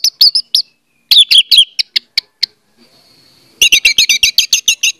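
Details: Orange-headed thrush song aimed at making a quiet bird sing: sputtering whistled notes, then a fast, evenly spaced series of bright, rattling chirps repeated about ten times.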